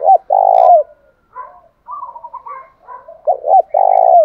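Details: Captive spotted dove singing the 'thổ pha' voice meant to spur another bird into song: a long rolling coo, soft warbling chirps, then two quick hooked notes and another drawn-out falling coo.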